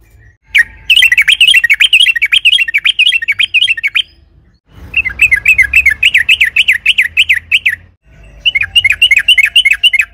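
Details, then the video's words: Trucukan (yellow-vented bulbul) in excited, emotional song used as bait to make caged birds sing: long, rapid runs of quavering chirped notes lasting several seconds, broken by brief pauses, over a low background rumble. "Trucukan gacor ropel panjang AMPUH,, pancingan TRUCUKAN AGAR BUNYI jadikan BURUNG TRUCUK GACOR EMOSI"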